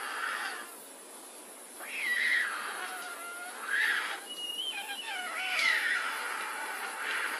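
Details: Young white storks at the nest giving mewing calls: drawn-out, cat-like wails that slide downward, several spaced a couple of seconds apart, with a steady background hiss.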